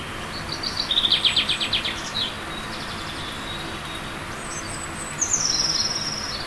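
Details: Eurasian blue tit in a spring forest and garden in early April, preparing a nest in a tree hollow and loudly announcing its territory from a branch: a quick high trilled burst, then another high trill later, over steady background hiss.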